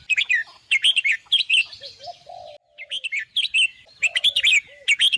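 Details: Red-whiskered bulbul singing bursts of bright, quick warbled phrases, each chattering and jumbled, broken by short pauses; softer low, drawn-out whistled notes come between the phrases, with a silent gap near the middle.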